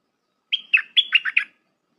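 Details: Red-whiskered bulbul in the 'dok taeng' song style, recorded for tutoring young birds. A single compact phrase: a sustained clear whistle followed by five fast, liquid notes that dip and rise. No other sounds.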